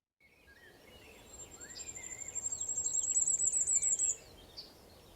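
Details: Male firecrest singing in spring in Portuguese woods: a very high, thin phrase that speeds up and climbs in pitch, ending abruptly, while blackbird and skylark sing lower in the background.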